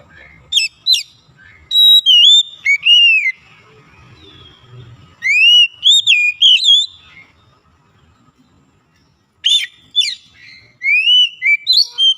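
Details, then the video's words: Kacer, or Oriental magpie-robin, in Indonesia, recovering from quiet spells: lively bursts of varied whistles, sharp upward flicks and looping slurred notes, delivered in quick runs separated by short pauses. "KACER YANG MALAS BUNYI JADI GACOR"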